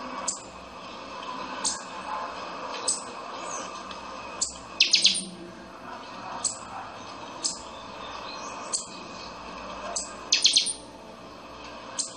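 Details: Pixoxó, the buffy-fronted seedeater, repeating its chanchão song. Crisp high notes come roughly every second, and fast bursts of several ringing notes appear twice. Faint steady background hiss.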